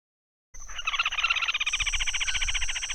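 A Red-and-white Crake gives a fast, dense chattering trill of rapid notes that runs on steadily for over two seconds, with a thin high insect-like hum behind it.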